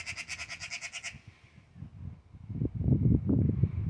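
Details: An angry Eurasian magpie that would not give up, apparently confronting a cat, gives a harsh, rattling chatter of about eight rapid dry notes in one second, then deep rumbling noise takes over.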